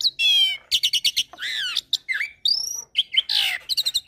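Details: Asian pied starling song from a training mix blended with Nias myna and hybrid starling song, varied and energetic: rising and falling whistles, harsh buzzy notes and quick repeated chirps run together with hardly a gap.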